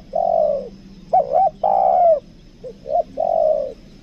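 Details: Lure-bird spotted dove of the 'kuk dua' kind, Lombok: a long coo, then two-note phrases each ending in a sustained falling coo, delivered in rapid succession, the last phrase softer in its opening notes.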